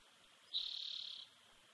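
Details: Young bald eagle, alone in its nest at Big Bear Valley after its six-week-old nestmate died, recorded by a nest camera in June 2019: one drawn-out, high, thin whine of about 0.7 seconds with a faint pulsing flutter, over quiet background hiss.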